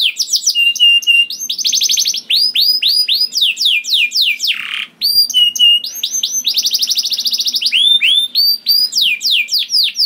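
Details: Canary song meant to spur other canaries into singing: fast descending whistled sweeps alternating with dense buzzy trills, a short lower swooping note midway, then more rolling trills and slurred notes.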